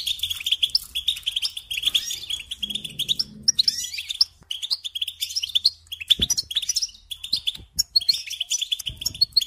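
European goldfinch song: rapid, tinkling twitters and liquid trills in quick bursts with brief pauses, bright and high, possibly more than one bird chattering together.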